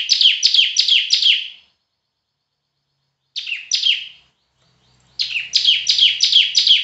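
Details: Loud bar-winged prinia in semi-active song, delivering bursts of harsh, buzzy high notes at a quick, even pace of about three per second, separated by silent gaps, with faint background hum.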